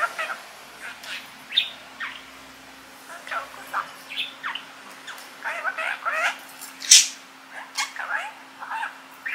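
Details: Pet male budgerigar, five years old, kept in Mie Prefecture, Japan, that talks in Kansai dialect copied from its owners. Nearly continuous rapid warbling chatter with squeaky, syllable-like notes, plus one sharp louder squawk near the end.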